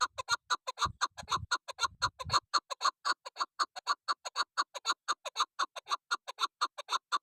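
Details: A female decoy chukar partridge gives a clean, steady, evenly spaced series of hard chuck notes at about two per second, with a few low thuds early on.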